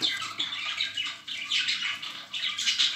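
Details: Budgerigar chicks getting used to a hand early, without hand-rearing; continuous scratchy, buzzy chattering with rhythmic swells about every half second, dense and unbroken throughout.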